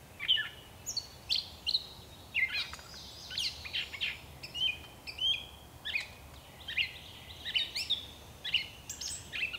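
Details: Gray catbird delivering a long, jumbled song from bushes, a continuous stream of mixed chirps, squeals, clicks and warbled whistles, quick phrases rarely repeated, with a low steady hum underneath.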